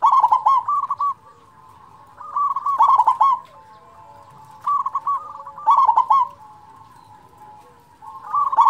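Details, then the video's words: Local zebra dove with a big voice, used as a lure to stir quiet doves into singing: bursts of rolling, bubbly coos near one pitch, opening with sharp clicking notes and then a softer trilled tail, repeated about every two seconds over a faint hum. "perkutut lokal suara besar cocok untuk pancingan perkutut malas bunyi"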